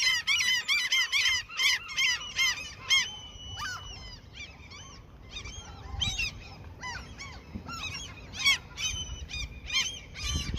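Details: Gulls fed at a fishing location burst into fast overlapping cries for about three seconds, followed by softer, scattered calls and a few low thuds.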